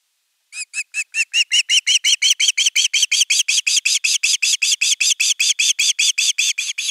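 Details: Osprey nestling calling on and on for fish: a long unbroken series of around forty piercing, squealing notes, nearly three per second, quickly rising to full loudness and holding steady.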